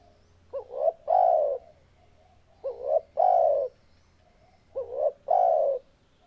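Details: Spotted dove singing, a three-part coo phrase of two short rising notes and a long even low coo, repeated three times about every two seconds.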